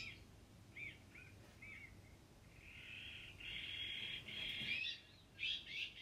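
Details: Iberian magpie (azure-winged magpie) giving a few short chirping notes, then long drawn-out rasping buzzes that run together before ending in brief harsher bursts. The background is quiet.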